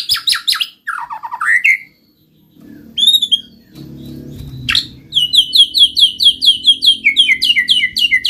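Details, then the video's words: White-rumped shama singing, used to spur lazy shamas into song: varied phrases with buzzy rapid bursts and downslurs, a brief pause with low background rumble, then a long run of quick repeated chirped notes. "pancing MURAI BATU malas bunyi"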